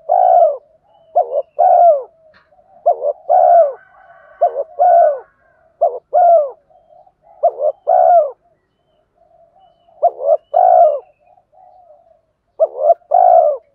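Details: Repeated cooing from male and female spotted doves calling to stimulate training birds: a steady series of paired phrases, a short note then a resonant coo, every one to two seconds, faint murmurs between.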